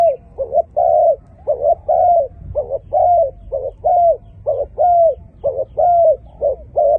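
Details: Dove with a fine voice cooing steadily, alternating short clipped notes and longer level hoots in a rhythmic pattern of about one per second, low and mellow throughout.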